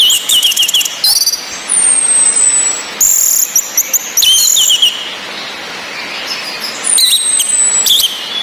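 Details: Female orange-headed thrush call, played to raise breeding drive in males that only twitter. There are thin high descending whistles and bursts of sharp chirps and short notes, separated by gaps, over constant rain-like hiss.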